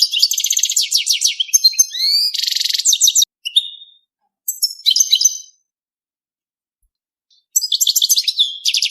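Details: Mating song of a European goldfinch: long stretches of fast metallic twittering and a dense buzzy trill, then short phrases and a pause before another twittering burst.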